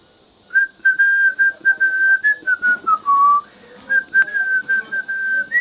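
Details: A male pet cockatiel, an extra super heavy cinnamon pearl pied, whistles a simple tune it is learning from its owner in clear, pure notes, with a short falling phrase in the middle.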